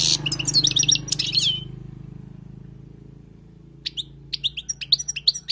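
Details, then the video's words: European goldfinch, wild song for tutoring: a short burst of fast tinkling twitter, about two seconds of near silence with a low hum, then renewed scattered chirps and rising notes. "تغريد حسون خلوي للتعليم"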